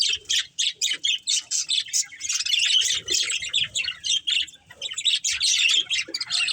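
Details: A breeding pair of budgerigars opens with rhythmic, separate high chirps, then shifts into dense, buzzy twittering and warbling that continues to the end.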